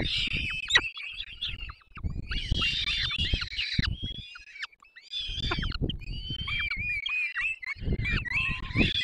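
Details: Begging at a peregrine falcon nest in Dolina Baryczy, Poland, 3 May 2024, while the adult pair feeds the young: rasping, quavering screeches in overlapping bursts with short pauses, accompanied by heavy low rustling and bumping at the nest.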